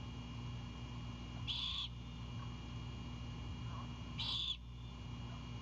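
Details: Young great horned owl on a nest, calling as its mother brings back an anhinga as prey: two raspy, hissing screeches nearly three seconds apart over a constant low electrical hum.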